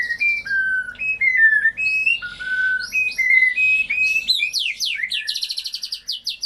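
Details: Song of a white-rumped shama, meant to coax silent or off-form shamas back into singing: flowing mellow whistles stepping up and down, then a burst of rapid high sweeping notes and fast repeated chips at the end.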